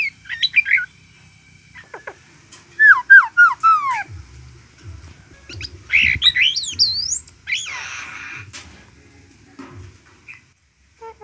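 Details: Myna song of varied squeaks, quick rising whistled notes in a rapid run, scratchy rasping chatter and hissing noise, with a faint steady tone and light background rustling.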